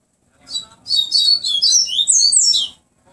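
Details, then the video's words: Double-collared seedeater, a caged bird in a song-style comparison of flute-like tui tui song, gives a rapid run of high whistled and warbled notes lasting about two seconds, with slurred rising and falling phrases. "papa capim tonze tui tui flautado x tui tui"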